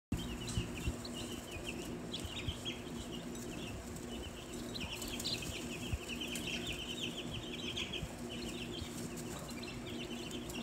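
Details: Newly hatched Australorp and Olive Egger chicks, a day old, filmed the day after hatching in November: a steady chorus of high, thin peeps from many chicks at once, overlapping continuously over a low background hum.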